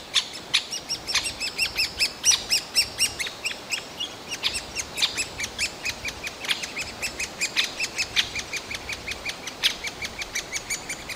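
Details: Shrill Great spotted woodpecker nestlings, shouting all day to spur their parents on, in a forest park of Yekaterinburg on 28 June 2018: long, unbroken chattering of squeaky arched notes, now denser, now sparser, with occasional sharp louder calls.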